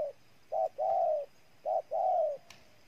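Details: Two coo phrases from a spotted dove in Ninh Thuận, Vietnam. Each has a short note and a long, warm, gently descending coo. A faint click follows near the end.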